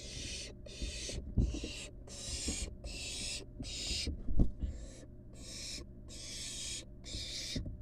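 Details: Barn owl nestling, excited while being fed, making long harsh hissing screeches, each about half a second, repeated steadily with short gaps, over low rumbling and handling noise.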